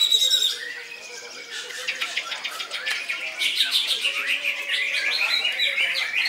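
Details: Greater green leafbird with loud koncer-style singing: high whistles open, then dense rapid chattering and clipped notes pour on continuously.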